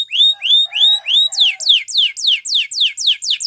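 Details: Canary training song: four slow, arching whistled notes followed by a steady series of sharp downward-sweeping notes, about three per second.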